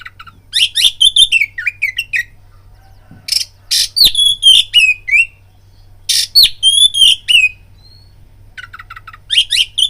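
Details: Oriental magpie-robin singing as a lure to provoke fighting: bursts of rapid whistled and chirping phrases mixed with harsh raspy notes, broken by pauses of about two seconds, low steady hum beneath.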